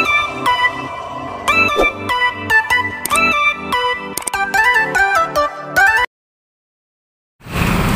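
Loud electronic music with stacked synth tones plays for six seconds, then silence, then a burst of broadband noise.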